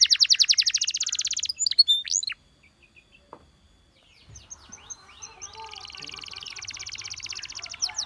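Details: Canary singing to encourage companions, beginning with a loud rapid trill and slurred notes, then a silence and a softer, dense buzzy trill continuing at lower volume.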